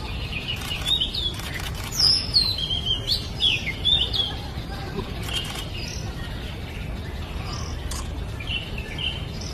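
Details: Oriental magpie-robin singing in the wild: short, bright whistled and chirping phrases, some rising and falling, scattered through the first six seconds and again near the end, over a steady low rumble of background noise.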